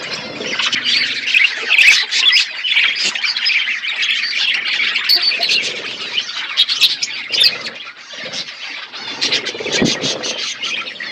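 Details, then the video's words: Many budgerigars kept in a forest-environment aviary keep up steady high-pitched chattering, warbles and scratchy squawks, rising and falling in loudness without pause. "Budgies parrot in forest environment aviary birds chirping sound"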